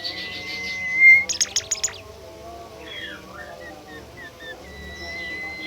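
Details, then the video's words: Bimoli bird singing (gacor): a steady high whistle swelling into a short run of rapid buzzy pulses, followed by soft descending slurred notes and a faint, thin continuing whistle. "super jos burung Bimoli gacor"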